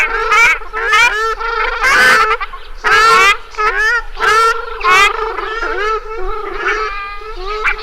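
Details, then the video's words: Ruddy shelduck producing harsh, drawn-out nasal honks, some loud and strained, others softer, coming in uneven bursts with overlapping calls. "SOUND OF A RUDDY SHELDUCK"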